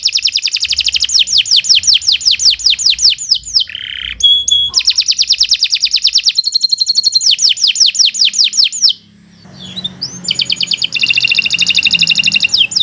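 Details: Continuous canary song in a training recording for young or silent songbirds: long rolling trills of rapid high syllables broken by short whistles and buzzes, one brief pause, then more fast trills.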